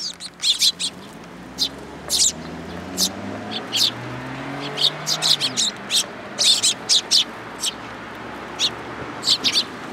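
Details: Sparrows come for food at a Tenmangu shrine on 8 July 2022, with frequent sharp chirps in clusters, while people talk and a passing vehicle rumbles underneath.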